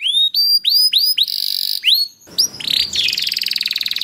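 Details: Canary singing to encourage other canaries: a string of rising whistled notes, a buzzy trill, then a harsher, noisier rapid rattling passage.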